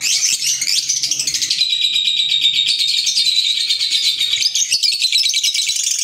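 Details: Green Fischer's lovebirds, African lovebirds: a steady, loud wall of high, shrill twittering and thin whistled notes overlapping without pause.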